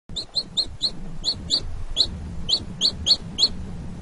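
A chick peeps in quick, high, slightly falling notes, calling for its mother.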